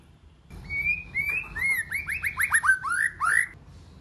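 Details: White-rumped shama singing a multi-voiced song: one long level whistle, then a quick run of about ten bright, rising-and-falling slurred notes, tightly spaced, ending in a longer arched note.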